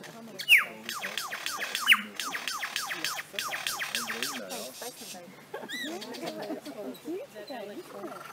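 Lyrebird mimicry: a fast run of sharp, laser-like downward zaps, about two dozen in four seconds, followed by softer warbled phrases over background voice and music.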